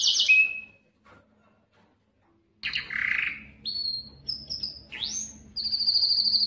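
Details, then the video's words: Belgian canary singing to stimulate females for breeding: a sharp note and short whistle, a pause, then varied slides, upward-swept whistles and a high steady trill over faint low background hum. "تغريد كناري للتسميع و تهييج الانات للتزاوج 71- Canário cantando para atrair fêmeas para a reprodução"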